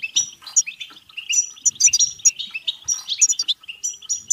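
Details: European goldfinch in batbata song for stimulating singing, mating and excitement: quick tumbling twitter of sweet chirps, rising slurred notes and sharp high pips, almost without pause.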